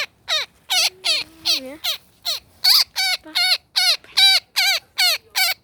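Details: Woodpecker caught in a net during a rescue, possibly with an injured wing, giving harsh, squawking distress calls about two to three per second, each sliding downward. A faint low steady tone runs underneath midway.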